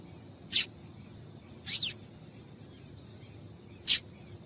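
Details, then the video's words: Female double-collared seedeater, whose calls serve to prompt males to sing: a sharp high chip, a slightly longer descending note, then another sharp chip about two seconds later, over low hiss. "Piado de Fêmea de Coleiro para Esquentar Coleiro"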